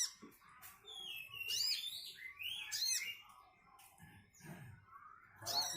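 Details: Caged brown-throated sunbird delivering a busy, high twittering song of short slurred notes and sharp chips in uneven bursts, with faint low knocks and rustles in the background.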